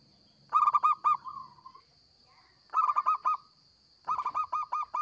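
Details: Local zebra dove singing vigorously, recording meant as a lure: three phrases of rapid staccato coos, the first trailing into a longer fading note, the last a longer run of six or seven notes; faint steady high whine.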